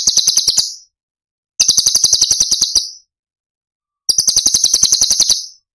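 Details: Cucak cungkok tembakan phrases, Cililin style, recorded for tutoring cage birds such as kacer and cendet: three quick, sharp, high-pitched rattled trills about one second long, separated by silent gaps.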